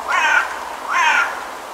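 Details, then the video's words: A pair of drawn-out, wheezy, nasal calls from a Brambling in Almaty, Kazakhstan, the second following about half a second after the first, each with a buzzy, slightly rising tone. "Brambling | Юрок | Fringilla montifringilla"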